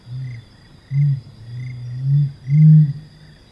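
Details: A Helmeted Curassow gives its deep, low booming song: a soft opening hum, then a series of stronger humming notes rising in volume, the final boom loudest, with steady high insect noise and faint chirps behind.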